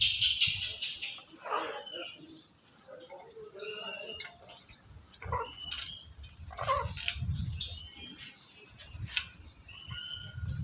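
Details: Male black-capped lory in breeding condition calling to a female: irregular harsh, raspy squawks with a few short whistled notes, spaced a second or two apart, over low rumbling background noise.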